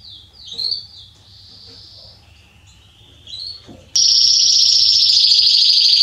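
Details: Male Belgian canary, Salsa line, singing to stimulate other canaries: soft scattered trilled notes for four seconds, then a sudden loud, sustained, high rolling trill to the end.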